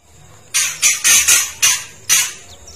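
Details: Female white-rumped shama (murai batu), a spotted young-plumage bird, giving a kretekan call used to provoke males into agitated singing: six harsh, broadband rasping bursts in quick succession after a short pause, with a faint high whistle behind.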